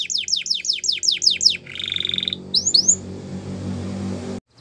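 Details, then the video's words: Canary tutor song for young canaries, Russian and Belgian breeds named: seven loud repeated downslurred whistles, a brief buzzy trill, two upswept notes, then a steady broad rushing noise before it cuts off. "Canary Training Song | Russian Canary | Belgian Canary"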